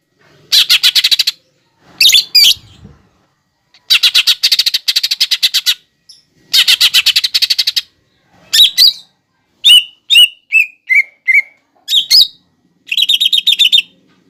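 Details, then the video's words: Lesser green leafbird (cucak ijo) singing masteran material packed with copied fighting-sparrow, lovebird and sunbird sounds: long bursts of rapid buzzy rattles alternate with sharp chips and a series of descending whistled notes. "MASTERAN CUCAK IJO GACOR BONGKAR ISIAN GEREJA TARUNG,LOVEBIRD,KOLIBRI"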